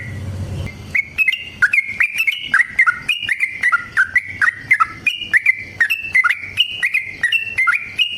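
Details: Long, rapid fighting song of a yellow-vented bulbul used as a lure for other bulbuls; a low thump opens, then chattering, bubbly notes rise and fall in an unbroken rippling sequence.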